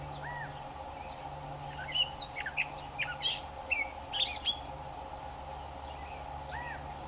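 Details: Gray catbird singing, a bird known for mimicking other birds' calls: a rapid burst of varied, jumbled squeaky and scratchy notes midway through, with a separate arched whistle near the start and end over a steady low hum.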